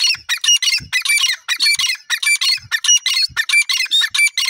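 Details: Grey francolin in Pakistan, female voice: a rapid, continuous run of loud, grating squawking notes, packed close together with faint low thumps in the background.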